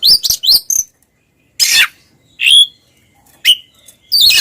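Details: Two Oriental magpie-robins in ngeplong style, used to rouse mute magpie-robins: a few sharp chips, then spaced harsh rasping bursts and short whistled notes with silent gaps between them.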